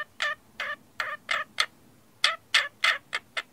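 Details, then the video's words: Parakeet chatter as a rapid series of short, nasal, harmonic calls, about three a second, with a brief pause mid-sequence before the calls resume more quickly. "Parakeets Chirping Sounds"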